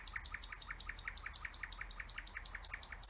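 A nightingale delivers a fast, even run of sharp, clicking notes, about five or six each second, with a faint low hum behind.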